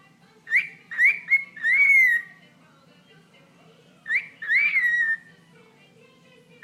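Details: Pet bird calling while interacting with its owner's toe indoors: short rising whistles in two bursts, each a quick run of upswept chirps ending in a longer clear whistle, with a faint low hum underneath.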